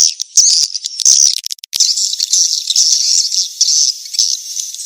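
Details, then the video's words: Swiftlet mating-call lure sound: shrill, continuous buzzing chatter, high in pitch, opening with a few sharp clicks and a brief dropout before the twittering resumes and swells in bursts. "SUARA PANGGIL BURUNG WALET‼️ SP KEJAR KAWIN TERBAIK DI VERSI NYA ‼️"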